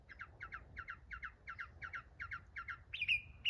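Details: Mockingbird singing: a harsh doubled note repeated steadily about three times a second for nearly three seconds, then a sudden switch to a higher, brighter whistled phrase, given twice.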